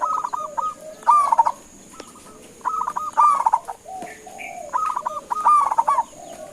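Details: Local zebra dove in Indonesia calling so other doves reply: short bursts of rolling coos ending in separate soft notes, repeated every second or two, with a faint higher chirp and steady background hiss.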